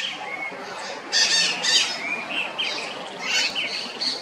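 Red-shouldered macaws give harsh, scratchy squawks in irregular bursts, several birds overlapping, over a steady hiss of background noise.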